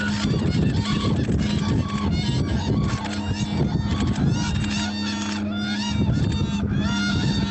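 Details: Several Whooping Cranes, a territorial pair with the female yelling encouragement to her mate, trade loud, harsh bugling calls in a dense overlapping chorus during a territory confrontation; steady low hum and faint background music beneath.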